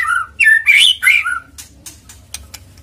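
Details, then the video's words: White-rumped shama used as a lure recording to make other shamas sing, giving loud rich whistled phrases with slurred notes, followed by sharp clicking sounds. "PANCINGAN MURAI BATU AGAR GACOR CEPAT BUNYI"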